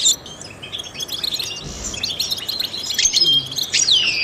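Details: Trained European goldfinch song for stimulating songbirds: busy high twittering with thin whistled notes and a sweeping downslur near the end; a faint low thud midway.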